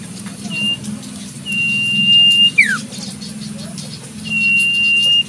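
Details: Sirtu cipoh, the Common Iora, heard wild in nature: drawn-out even whistles, one ending in a swift descending slur, over a steady low hum.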